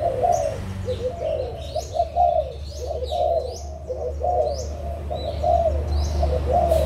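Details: Adult spotted doves of Malaysian and Thai origin, 16 March 2022, cooing in rhythmic overlapping phrases roughly once a second, over a low rumble, with thin high chirps from other birds.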